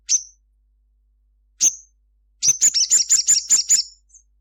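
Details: Sogon sunbird singing at midday; two separate high, sharp notes are followed by a quick rattling string of about eight piercing chirps.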